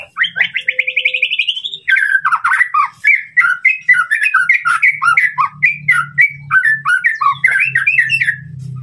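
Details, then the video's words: White-rumped shama singing to provoke a rival, opening with a rapid rising trill of about fourteen repeated notes, then a dense run of varied slurred whistles and chips over a low steady hum. "masteran murai batu untuk memancing emosi lawan"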